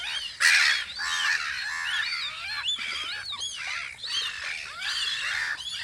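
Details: Spring on Audru polder where gulls guard their post: a loud harsh squawk opens, followed by a jumble of rising and falling cries from many birds.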